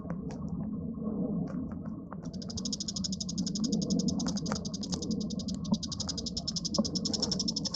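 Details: Bull-headed shrike giving a sustained, high, rapid chatter of evenly spaced sharp notes. It begins after two seconds of scattered ticks and continues to the end over a constant low droning background.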